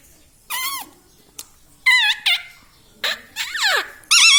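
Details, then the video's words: Pet parrot indoors imitating speech, said to say "mummy papa": clear squeaky, nasal syllables in short bursts, some rising then falling, separated by brief pauses, with a faint click between them. "parrot talking mummy papa"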